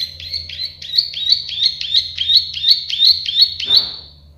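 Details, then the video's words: Prenjak sawah (plain prinia) singing an even train of buzzy, upward-slurred notes about three per second for nearly four seconds, ending with a brief thud. "Masteran burung prenjak sawah klik-klik"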